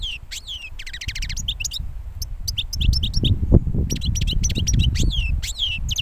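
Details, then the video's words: European goldfinch fresh out of its moult, a bird from last year, delivering fast tinkling chirps, liquid trills and a buzzy rattle, with rumbling low background noise growing louder midway. "JILGUERO RECIÉN MUDADO"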